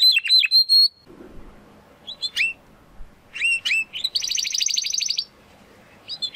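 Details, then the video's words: Young Spanish Timbrado canary searching for its full song: a few descending chirps, gaps with faint background hum, isolated notes, then a brief rapid rattling trill. "Canary Song - Spanish Timbrado Classico"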